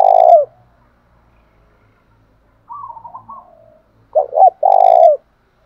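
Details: Spotted dove song in the thổ pha voice style, played to provoke a captive bird into singing quickly: a loud low coo phrase ending at the start, soft wavering higher notes midway, then a full phrase of two short hoots and a long, even, falling coo.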